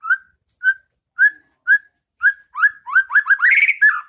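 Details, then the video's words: White-rumped shama (murai batu) training song, the 'pastol ngeplong' style played so caged birds learn to sing: clear whistled notes repeated about every half second, then a rapid run of rich rising and falling whistles. "Masteran Pas Burung Murai batu Biar ikut bunyi"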